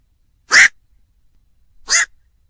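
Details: Two hoarse, clipped croaks of a black-crowned night heron, roughly one and a half seconds apart, the first louder and longer, in quiet surroundings.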